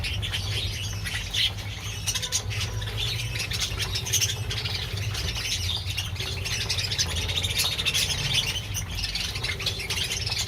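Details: A pet colony of budgerigars, eating seed, chatters nonstop with rapid, scratchy warbles and sharp squawks over a low hum.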